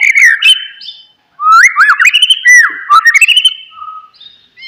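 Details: A white-rumped shama delivers loud looping whistles, swooping up and down in quick phrases, then a soft level note. The song is offered to spur a silent shama to sing.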